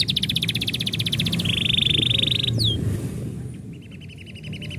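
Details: Pet canary singing when its owner is about to leave: a quick bright trill runs into a long even buzzy note, one swooping whistle, then a soft distant rattle, over low background rumble.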